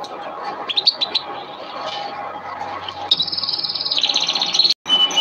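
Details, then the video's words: Canary singing a training song (masteran kenari): scattered soft chirps over a noisy background, then a bright, sustained high trill and rapid pulsed notes toward the end. "Masteran kenari burung | Canary training song"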